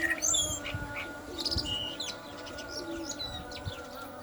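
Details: Common blackbird singing while the call to prayer sounds. The song is a rapid run of high squeaky twitters and short whistled notes. The steady tones of the call to prayer drone on beneath it.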